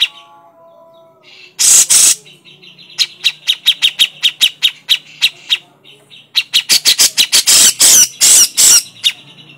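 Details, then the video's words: Cucak jenggot, the grey-cheeked bulbul, in crecetan mode: two loud harsh rasps, then a quick irregular string of crisp ticks building into a denser rattle with scratchy bursts at the end. "suara crecetan burung cucak jenggot"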